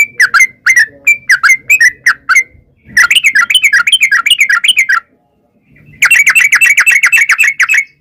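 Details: A sooty-headed bulbul sings a lure song meant to provoke replies from wild birds. Spaced gurgling whistles give way to a dense, fast chattering burst, then a pause and another rapid, tightly packed run of bright notes.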